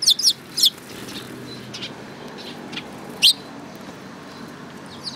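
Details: Sparrows, filmed on 10 June 2018: a quick cluster of sharp high chirps at the start, another short pair, then a single bright chirp a few seconds later over steady background hiss.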